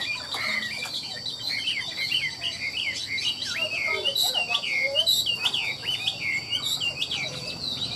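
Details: Caged Chinese hwamei singing at 8:30 in the morning on a sunny, hot day, a rich, continuous run of clear, varied whistles that swoop up and down; it had sung since early morning. A steady high whine and faint voices are behind.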